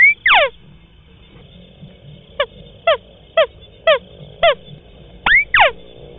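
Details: White-browed crake call played to lure birds in swamps and rice fields: quieter series of short, evenly spaced falling nasal notes, bracketed by whistled notes breaking into downslurs; low rumble and steady high hum behind.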